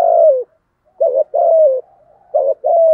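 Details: Spotted dove lure bird, deep thổ voice, urging coos to excite wild doves; a long drooping coo, a pause, then two short-long pairs of low hoarse notes, each long note tailing downward.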